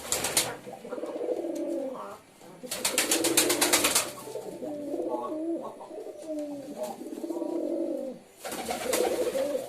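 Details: Low burbling pigeon coos, wavering and overlapping, with repeated sharp bursts of broadband noise like flapping wings at the start, middle and end.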